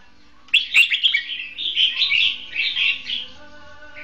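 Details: Caged red-whiskered bulbul decoy used for trapping birds, singing in a contest style: one sustained run of fast, rich warbling notes lasting nearly three seconds, fading at the end, over a low background hum.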